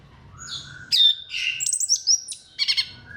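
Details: Short burst of orange-headed thrush song, used to stimulate other thrushes: a low soft whistle, then an abrupt loud high note, buzzy warbling, two bright upslurred whistles and a final chattering trill.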